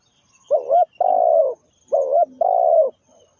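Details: Spotted dove, a decoy bird used for trapping, giving two cooing phrases. Each is a short wavering note followed by a longer, steady, falling croon, with a soft low murmur between them.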